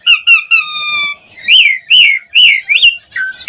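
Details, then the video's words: Asian pied starling song luring other starlings to join in: three short whistles, a long flat whistled note, then loud arching whistled slurs and a rasping ending. "Pancingan Jalak Suren Gacor Memancing Suara Burung Jalak Biar cpt Respon NYAUT ikut Gacor Full Isian"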